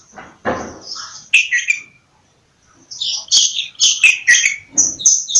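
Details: Bulbul giving lively bursts of slurred, warbling whistled notes, split by a short silent pause; a brief rustling thump comes near the start.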